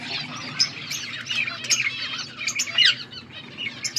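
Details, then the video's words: Pet budgies recorded August 14, 2024 chatter in overlapping scratchy warbles and squeaky chirps, irregular and continuous, with a low background hum. "Budgies sounds for lonely birds birds chirping sounds"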